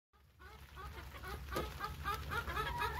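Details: Chickens fed corn on a rainy day give a rapid series of short, arched clucking notes from several birds, quickening after the first half second, over a steady low rumble and pattering background.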